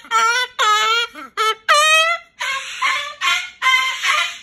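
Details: Pet Moluccan cockatoo at bedtime, complaining because it does not want to go into its cage: a series of loud, harsh, nasal squawks with rich harmonics, some bending upward. The squawks come in short bursts separated by brief pauses.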